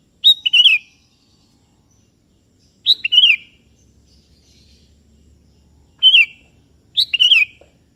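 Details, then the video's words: Sooty-headed bulbul, 'kebo' type, singing busily to call up a rival that replies: four quick liquid whistled phrases, each opening with a high clipped note then tumbling downward, with long quiet gaps between. "Suara Merdu Burung Kutilang KEBO Gacor Memanggil Lawan Ikutan Bunyi"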